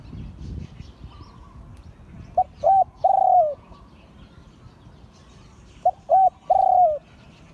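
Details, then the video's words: Liu Tan style coo of an auspicious-line spotted dove, repeated twice about three and a half seconds apart. Each phrase has two quick notes and then a longer note that dips at the end, with a quiet background. "เสียงขันนกเขาใหญ่ # หลิ่วตัน"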